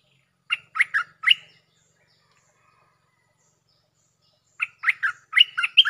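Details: Singing Streak-eared Bulbul used as a lure, Jao Bank song with doubles: a rapid phrase of three to four sharp chirping notes, a long silent pause, then a fuller phrase of five or six bright buzzy notes.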